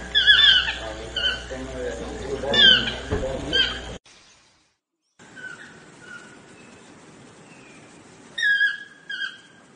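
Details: Swainson's or chestnut-mandibled toucan uttering loud, yelping calls with a rough, ringing tone. A brief silent break follows, then softer, more distant-sounding calls, ending with a louder closing pair of phrases.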